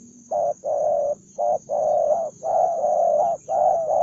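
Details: Spotted dove, a single aggressive, combative male, calling in repeated low cooing phrases: short coo followed by longer drawn coos in pairs, steady mid-pitched and hoarse, with a faint constant high hiss behind.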